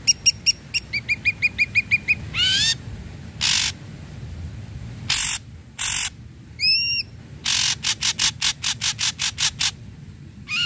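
Ashy Drongo song: quick runs of bright ringing notes, rising and falling slurred whistles, and harsh scratchy bursts, varied and energetic throughout.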